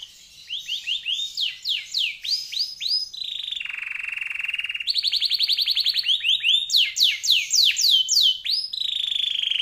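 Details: Canary singing a long, rich song used as a master recording for training other songbirds: fast rising whistled sweeps, then a low buzzy rolling trill, a bright rapid high trill, and more upward-swooping notes.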